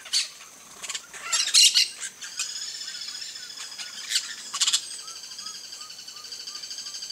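Campo Flicker giving loud, harsh, squawking bursts in short clusters over a steady high insect hiss; faint soft notes repeat quickly near the end.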